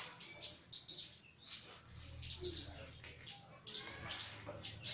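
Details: Caged Javan myna singing actively (gacor) during mental training, giving sharp, very high clicking chips in irregular bursts, some doubled or tripled, with faint lower chatter notes between them over a low room hum.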